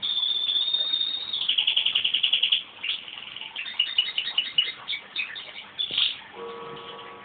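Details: Male crossbred pet canary singing his heart out after being started off by his owner's whistle: high, fast trilled phrases of rapidly repeated notes that rise and fall, ending with a fainter lower steady tone.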